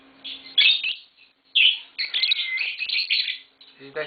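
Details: A green Fischer's lovebird pair, mating indoors at home, gives piercing high chirps that run into a longer twittering chatter. Brief Bengali speech comes at the end, with a low hum throughout.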